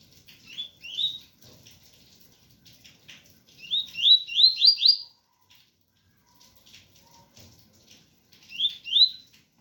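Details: Ganga-type song with tui tui notes from a double-collared seedeater, rain in the background: brief pairs and a run of four bright upslurred whistles, repeated in spaced bursts, with light rainfall patter throughout.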